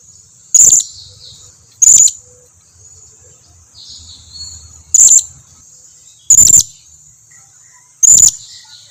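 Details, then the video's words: Blue-crowned hanging parrot calling as a lure so that other hanging parrots reply: five sharp, piercing high squeaks, each brief and explosive, repeated roughly every one to two seconds over a constant faint high hum. "Suara pancingan serindit ini dijamin serindit lain yang jarang berbunyi pasti langsung nyahut"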